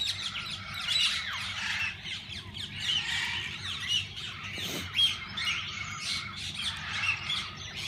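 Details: Walk-in aviary at a parrot park holding several kinds of parakeets; a busy wall of shrill squawks and chirps from many birds at once, a brief thud midway, low hum underneath.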